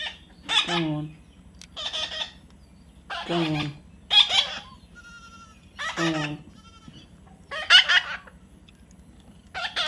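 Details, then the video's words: Baby parrot being tamed, uttering repeated hoarse, scratchy squawks every couple of seconds, some sliding downward, mixed with a low human voice in the background. "natural funny parrot sound"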